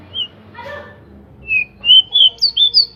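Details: Local pied bushchat in full song with wings open, played as a lure so other bushchats start singing fast and get agitated; a lone high note and a brief rough sound precede a quick series of clear whistled notes stepping upward.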